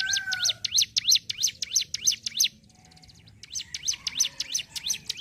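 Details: Hill prinia (ciblek gunung) delivering ngentrok song, a quick chain of high, sharp notes that stops for about a second, with a soft lower whistle near the start, then restarts at the same brisk pace.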